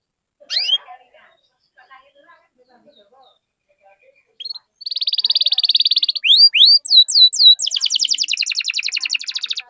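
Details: Canary song played to encourage other canaries to sing: a few faint sounds and a short sweep at first, then a steady high trill, falling whistled sweeps and a long fast rattling trill in the second half.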